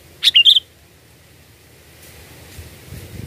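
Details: Sooty-headed bulbul song used as a lure for catching birds: one quick bubbly phrase of three or four bright chirping notes, rising and falling, then quiet with faint low rumble.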